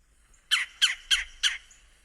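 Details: Red-bellied Woodpecker, a permanent resident, giving four short, harsh, rasping notes in quick succession, spaced roughly a third of a second apart, each a burst of broad noisy sound, against an otherwise quiet background.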